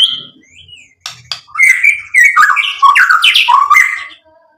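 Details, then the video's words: White-rumped shama song played to provoke other shamas into answering: a few soft, quiet notes, then a dense, loud burst of warbled whistles mixed with harsher squawky notes. "SUARA MURAI BATU Untuk MENAIKAN EMOSI jadi NYAUT GACOR BONGKAR MATERI ISIAN"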